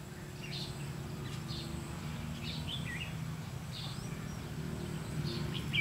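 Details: Decoy red-whiskered bulbul singing during 'lăng săng ché-cánh' style trapping on 30 May 2016. Scattered short warbled and slurred notes sound every half second or so over a constant low hum.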